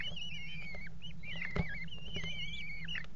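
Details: Mating Eurasian kestrels on a nest box rim at a water tower in February 2018. Continuous warbling, wavering whine rising and falling, with one loud thud midway and a constant low electrical hum beneath.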